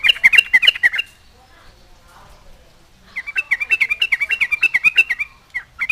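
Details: A lively Yellow-vented Bulbul song meant to provoke other bulbuls into replying. A short burst of chattering chirps is followed by a quiet gap, then a longer run of quick, evenly repeated bubbly notes.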